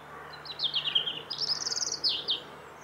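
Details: Bird song: a lively phrase of high twittering notes, then a fast buzzy trill and two final sweeping whistles, over a low steady hum.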